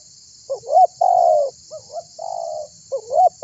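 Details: A lively spotted dove calls out to get other birds singing: a rising hooked note, then a long, flat, mellow coo, repeated twice more, with a faint continuous hiss above.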